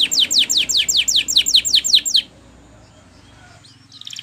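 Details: Training song of a canary: about ten loud descending sweeps, evenly spaced roughly four per second, over a low hum, then fading to quiet background noise with faint distant notes.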